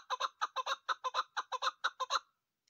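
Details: A female chukar, used as a hunting call, gives about a dozen harsh, clucking chuk notes in quick, even succession over two seconds. Nothing else is heard.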